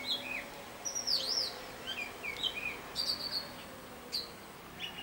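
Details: Mimicking robin giving another of its varied tunes: clear sliding whistles, a loud arching note near one second, then short descending slurs and brief high trills, with quiet gaps between phrases.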